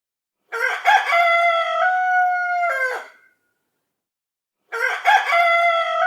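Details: A rooster gives a morning crow: one full, loud, harmonic call of nearly three seconds, held steady and then dropping at the end, and a second crow begins after a pause.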